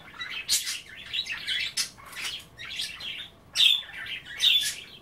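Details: Pet budgerigars chattering while nibbling kale and water at bath time; busy warbled twitter with rapid squeaky notes and occasional sharper chirps, phrases coming about once a second.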